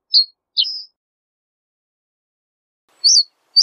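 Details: High, sharp chirps from a reed bunting: a pair of notes, a long pause, then two more tweets near the end.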